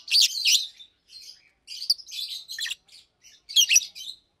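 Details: Daytime chirping from two caged Fischer's lovebirds, one blue with a white head and one pastel green: loud opening squeaky notes, then scattered clusters of sharp high chirps separated by short gaps.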